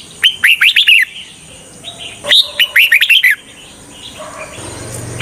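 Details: Red-whiskered bulbul used to lure wild birds into traps, singing two busy, warbled phrases of many quick whistled notes, the second longer, followed by a faint low hum and a final chirp.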